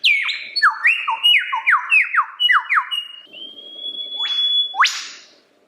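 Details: Lyrebird song: a rapid series of about a dozen descending whistled notes, then a long level whistle and a sharp rising sweep at the end.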